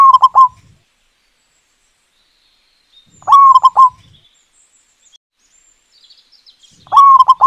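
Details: Local zebra dove singing loudly in the morning, part of a session running from dawn to midday: low, mellow cooing phrases of three quick rolled notes, each phrase repeated about every three and a half seconds, with quiet gaps between.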